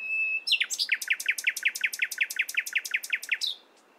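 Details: A nightingale in the morning holds a thin whistle, then delivers a long, even run of about fifteen loud, sharply repeated chirps before stopping abruptly.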